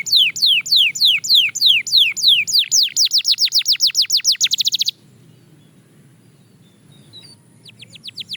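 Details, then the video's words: Singing practice of a Belgian canary: evenly spaced falling whistles that speed up into a rapid, accelerating roll lasting about five seconds, then near silence with a few faint notes. "Shocking Canary Singing Progress – You’ve Never Heard This Before!"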